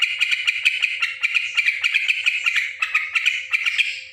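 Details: Yellow-vented bulbul in noisy voice, giving quick bursts of bright, clipped notes about four to five per second, running evenly for the whole stretch against a quiet background.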